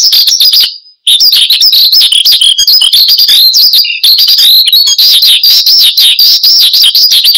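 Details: Branjangan, or Horsfield's bush lark, a caged bird in steady song used as lure and master recording; quick high twittering and whistled slurs, interrupted by a brief silent cut early on and a short break later.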